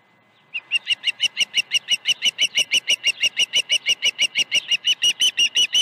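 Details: Osprey at a ranch nest, morning of 21 August 2019, during fish deliveries: a steady, rapid series of short, sharp whistled chirps, about three per second, continuing evenly for over five seconds and growing slightly louder.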